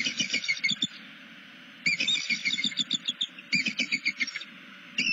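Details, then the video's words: Southwest Florida bald eagle on a nest cam, tail-stretching and looking around while calling to another eagle. Bursts of quick, high chittering notes come in three runs separated by short pauses. "Tail-stretch, looking around, vocalising with someone?"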